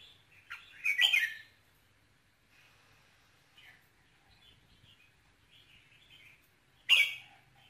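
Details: Red-whiskered bulbul singing to stimulate a male bulbul, with ché, kình and rít tones: a loud rasping burst, a string of soft scattered chirps, then another loud sharp burst near the end.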